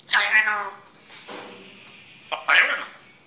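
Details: Grey parrot (Psittacus erithacus), speech mimicry.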